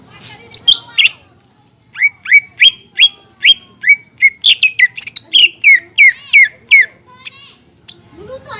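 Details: Green leafbird in animated song used to excite other leafbirds: steady repeated whistled notes, about three a second, each a short rising-then-level tone, then more varied slurred notes.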